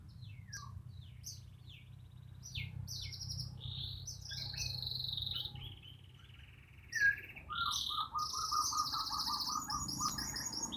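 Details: Kept white-rumped shama of the Borneo type sings a varied song of short high whistles and upswept notes, followed by a sustained buzzy high phrase and a lower run of repeated notes, over a steady low background hum.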